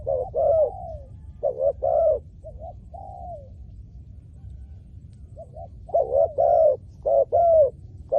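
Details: Spotted dove calls used to lure wild doves on the ground: low, mellow cooing phrases of two or three notes, the last one drawn out and falling. A quiet pause sits mid-clip before the cooing resumes, over a faint low rumble.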